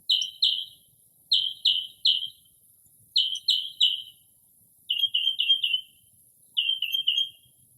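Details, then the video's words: Late-night Northern mockingbird in early spring, mimicking other birds' calls: clusters of three sharp, slurred chirps repeated with short pauses, a faint high hiss steady behind them, no urban noise. "Northern Mockingbird Mimics Different Bird Calls"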